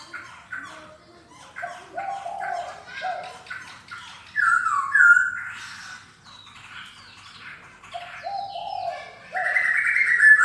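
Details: Black-throated laughingthrush with varied song: choppy lower warbles, then a loud rising and falling whistle near the middle, more mellow notes, and a strong high whistled phrase at the end.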